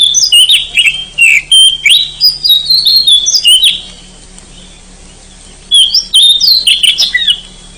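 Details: Wild oriental magpie-robin in forest, singing choppy sequences of bright whistled notes and chirps for about three seconds, then a long pause, then a second animated burst of warbling; faint hum persists.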